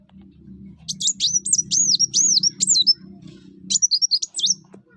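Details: Energetic song of a kolibri wulung, or Brown-throated sunbird, used to coax other birds into song: fast, high, looping whistled notes in a long run, then a shorter burst, over a steady low hum.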